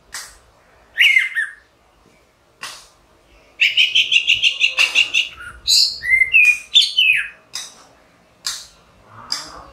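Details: Orange-headed thrush in song, with scattered clicks and short notes leading into a rapid, evenly repeated run of about a dozen rich notes, then twisting whistled phrases and a few sharp chips.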